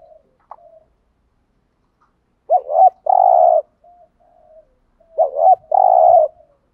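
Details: Spotted dove giving thúc gù coos to lure wild doves: a faint soft note, then two phrases of a rising-falling warble and a long steady buzzy coo, about two and a half seconds apart.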